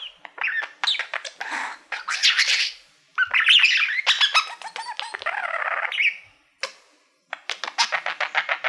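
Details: Male pet budgerigar warbling at a silver plaque he treats as a favourite mirror; continuous rapid chatter of clicks, squeaks and buzzy notes, with one short pause before the chattering resumes.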